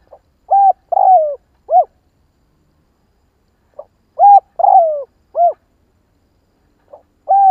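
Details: A spotted dove repeats its quick rousing coo phrase, used to stir decoy birds. It opens with a faint note, then gives an arched coo, a long sliding coo and a closing arched coo. Two phrases are separated by about three seconds of silence.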